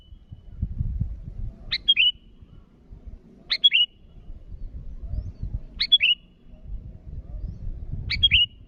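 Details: Four spaced phrases from a sooty-headed bulbul calling rivals, each a quick sharp note and two liquid falling notes, roughly every two seconds, over steady low rumbling background noise.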